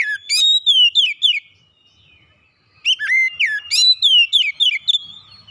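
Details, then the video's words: Oriental magpie-robin kept as a home bird pours out fast, sweet whistled phrases with downward slurs and high sharp chips, in two bursts split by a one-second pause. The setting is quiet. "kicauan indah memancing suara Kacer rumahan ikut gacor"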